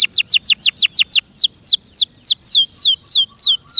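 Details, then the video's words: Canary in care delivering a loud tour of clear, downward-sliding whistled notes, repeated evenly about three to four times a second, slowing slightly toward the end. "PLEASE LISTEN AND ASSESS FOR YOURSELF THE BEST CANARI BIRD"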